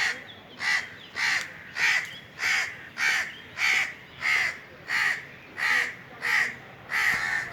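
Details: Steady, evenly timed cawing from Indian crows high in a tree in summer heat: about twelve harsh caws, one roughly every 0.6 seconds.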